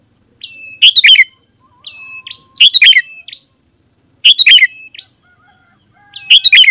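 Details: Sooty-headed bulbul song meant to lure wild bulbuls to respond and come closer: brief loud chirpy bursts ending in a downslurred whistle, separated by softer thin whistles, about every two seconds.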